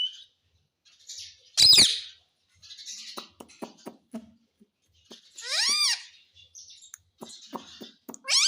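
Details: Green ringneck pet parrot that says "mummy": scattered clicks and taps around one loud burst, then a rising-falling run of arched vocal notes and another starting at the end.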